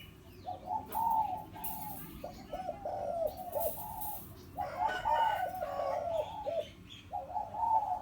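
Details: Zebra dove, a four-year-old hybrid decoy bird kept for trapping in the penyat style, giving strong inner- and outer-ring calls: bursts of soft, stuttering, rolling coos repeated in quick runs, with faint background noise.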